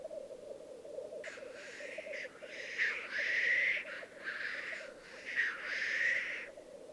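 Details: Black grouse cocks performing lek displays in the Piedmont Alps, Italy, 2022: a rolling, bubbling drone underlies a string of breathy hissing rushes over about five seconds.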